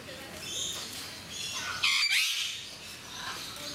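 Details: Captive eclectus parrots at Mysore Zoo give one loud, rasping squawk midway, briefly doubled, after softer high-pitched chatter and scratchy calls, with low background noise throughout.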